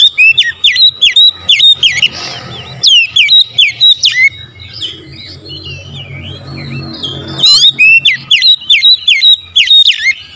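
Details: Oriental magpie-robin singing a lure song in the morning. Bursts of loud, clear, swooping whistles repeated in quick succession come in three spells, separated by quieter stretches of softer warbling and distant chirps.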